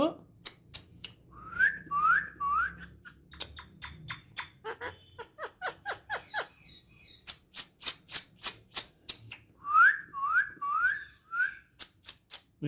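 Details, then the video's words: Indoor female ringneck, a talking parrot said to speak Urdu and Hindi. Bright whistled notes that rise and then drop come in quick sets of three or four, mixed with speech-like chatter and a dense run of sharp clicks, with a faint room hum underneath. "Urdu Hindi Speaking Female Ringneck Talking Parrot"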